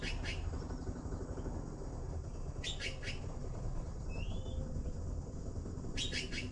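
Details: Blue magpie nestlings waiting for food: three bursts of harsh, buzzy, stacked chirps spaced a few seconds apart, plus one short rising whistle, over a steady low rumble of background noise.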